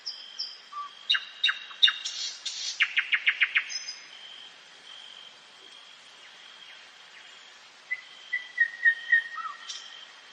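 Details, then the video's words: Common nightingale singing in a forest at night: sharp whistles leading into a rhythmic series of about eight loud repeated strokes, a quiet gap, then a string of soft falling piped notes over a steady high tone. "СОЛОВЕЙ. НОЧНОЕ ПЕНИЕ СОЛОВЬЯ В ЛЕСУ."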